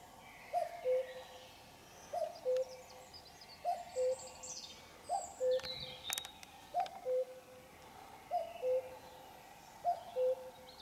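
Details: Common cuckoo song at 5 a.m. on a Sunday morning, still night: seven steady two-note cu-coo phrases, high then low, repeated roughly every 1.5 seconds, over quiet countryside with faint distant birdsong.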